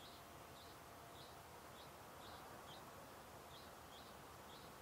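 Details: A juvenile common linnet (Linaria cannabina) in a large migrating flock resting atop a bush on the Tweede Maasvlakte, Netherlands, during autumn migration as adults moult to winter plumage, begs continuously for food with short, high chips about twice a second over wind.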